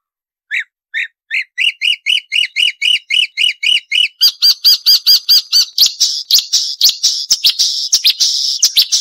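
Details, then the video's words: Marsh warbler song used for training songbirds: a series of evenly repeated chirping notes rising in speed, shifting to a higher, faster harsh chatter and dense rattling trill. "Masteran Burung Suara Tajam - Masteran Nembak Tajam - Mars Warbler"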